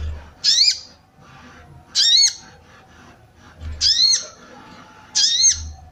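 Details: Sooty-headed bulbul female call meant to excite males into singing and to attract wild birds; four loud, rasping, arched notes spaced one and a half seconds apart over a soft low rumble.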